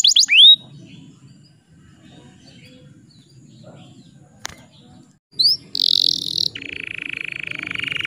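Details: Canary song used to provoke rival birds into singing: a few sharp rising whistled sweeps, a stretch of low background hum, then a buzzy high trill giving way to a sustained, rapid lower trill.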